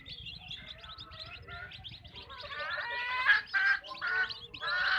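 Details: Hens clucking on a backyard chicken farm, soft scattered chirps building to louder, harmonic calls in separate bursts during the last two seconds.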